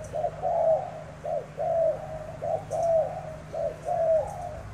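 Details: Cooing contest of spotted doves in Tra Vinh, Vietnam, tame bird versus wild-caught bird; loud, rough, low coos grouped in pairs of short and long notes, repeating several times with faint clicks in the background.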